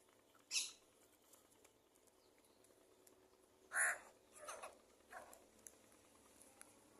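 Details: Angry crow calling: four harsh, broadband caws, a short one near the start, then three in quick succession about two-thirds of a second apart, over a quiet background hiss.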